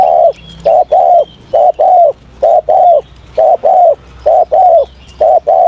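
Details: Spotted dove cooing in the morning as voice training: a continuous sequence of loud, hollow, low coos, short notes followed by longer held ones, roughly once per second, with faint bird chirps behind.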